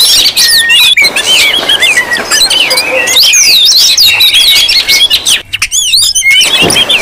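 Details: Noisy Oriental magpie-robin chorus used to draw out and provoke other magpie-robins: continuous overlapping whistled phrases and scratchy chatters, briefly thinning near the end.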